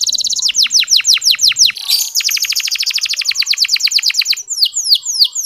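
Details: Local canary song from Indonesia, meant to coax sluggish male canaries into singing: fast series of sharply falling whistled notes, a brief harsh burst, then a long even trill of downward sweeps, ending with sparse high chirps.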